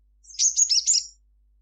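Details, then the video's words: Short twittering phrase from a crimson sunbird singing at midday. About a second of high, slightly buzzy, warbled notes comes in four quick pulses. "Kicau sunbird Sogon gacor cruit cruit siang hari"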